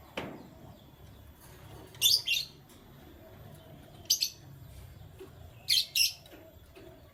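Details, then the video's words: Morning chirps from canaries: three quick, high-pitched trilled bursts, some doubled, separated by gaps of roughly two seconds against a quiet low hum. "Canary Chirping Sounds"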